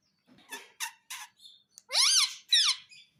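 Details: Pet parrot known for talking: a few short breathy, rasping notes lead into two loud, harsh squawks that arch up and down, ending with a faint trailing note.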